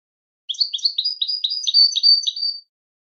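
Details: Goldfinch song meant for teaching and listening: a rapid run of high, bright twittering chirps, roughly a dozen notes within two seconds, each a short sliding note, delivered cleanly against silence.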